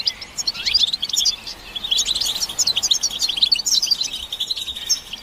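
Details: Group twittering of European goldfinches, used to stimulate males to sing; a dense, continuous stream of high tinkling chirps and buzzy notes overlapping from several birds.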